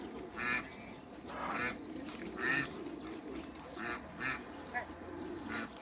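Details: Hybrid Cayuga and Muscovy ducks in a backyard meeting, with softer scattered nasal quacks spaced irregularly, roughly seven calls, against a constant low background noise.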